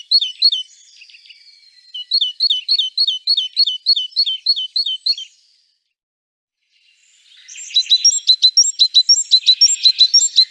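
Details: Varied great tit vocalisations: a rapid train of high, bouncing two-note chips that stops after several seconds, then following silence a denser, harsher chattering series, sharp and high-pitched throughout.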